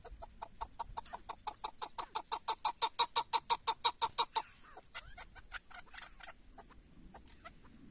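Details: Tethered decoy chukar partridge during a partridge hunt in Şırnak, Turkey: a rapid, even series of sharp clucking notes, roughly three per second, swelling louder for about four seconds then breaking off into a few scattered softer clucks.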